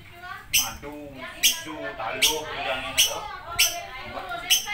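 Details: Shrill lovebird squawks repeated about once a second, with soft bubbling chatter between the calls.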